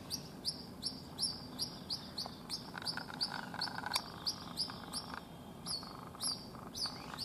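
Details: Separated white-breasted waterhen chick, Rajasthan, India, left behind when its mother flew over a wall, giving a steady series of shrill, falling peeps roughly three each second against low environmental noise.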